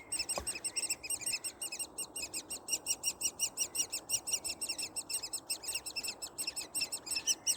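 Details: Woodpecker nestlings calling from inside the nest: continuous high, buzzy, rasping begging notes in a fast steady rhythm, close to three per second, growing louder over the clip; a single faint tap near the start.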